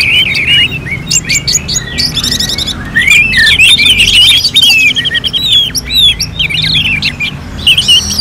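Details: Orange-headed thrush singing in a competition-simulation style. Dense, varied high song with rapid whistled slurs, chirps and trills. Several phrases overlap, and a low hum runs underneath.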